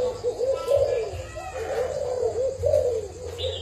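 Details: Spotted dove from a Thailand lot dated 09/07/2018, kept as a decoy. It gives soft, low, rolling coos in phrases that rise and fall, repeated a few times. Faint higher chirps and some background noise are also heard.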